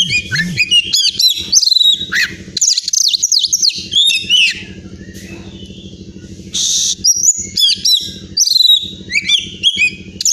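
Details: Caged Oriental magpie-robin from Pemalang, Central Java, Indonesia: a varied song of sharp whistled notes, quick up-and-down slurs and short chattering bursts, with a gap midway, over a low pulsing hum.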